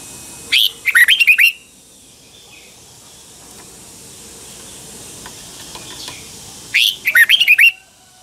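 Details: Red-whiskered bulbul, Pa La-u, Thailand, with double-style song: two lively phrases of five or six quick whistled notes, about six seconds apart, separated by near silence.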